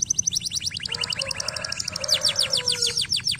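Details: Canary song, played to stimulate lazy canaries into singing: rapid runs of high, sharp chirps repeated several times a second, with lower whistled tones sustained through the middle of the phrase.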